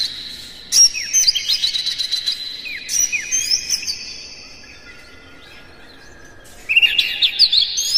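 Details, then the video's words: Morning singing by a captive Oriental magpie-robin, used as stimulation for kept birds: energetic bursts of slurred whistles and chips, a quiet gap of about two seconds, then a renewed loud twittering phrase. "suara PAGI!! KACER Gacor Master PANCINGAN Buka Ekor"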